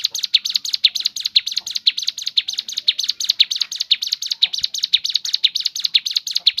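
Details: Natural song variation of a Crescent-chested babbler, used to draw other birds into singing: a steady, fast series of bright, high chirps, close together and even, continuing throughout.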